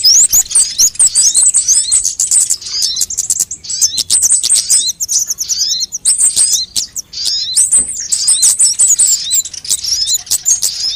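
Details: Lure recording of sunbirds for attracting birds and making them sing: high-pitched squeaky twitters and rapid trilled runs in repeated bursts, with short pauses between phrases over eleven seconds.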